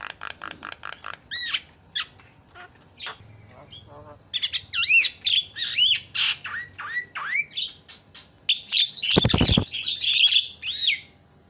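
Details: Javan myna lure calls meant to make other birds call out: a rapid series of stacked chattering notes, then curved whistles and harsh squawks, with a loud broad rasping burst near the end.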